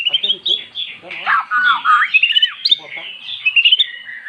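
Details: Magpie-robin singing after being lured with recorded song: loud varied whistles and slurred notes, with brief low voice-like sounds beneath.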